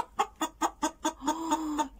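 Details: Domestic rooster making hen-like clucks: five evenly spaced sharp clucks roughly every fifth of a second, then a longer sustained nasal tone broken by further clucks. Quiet room background.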